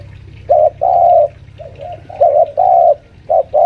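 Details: Senior spotted dove lure bird, about five years old, kept at home, calling while pressing a rival: low mellow coos in short-long pairs, with a softer, quieter coo phrase between the loud ones.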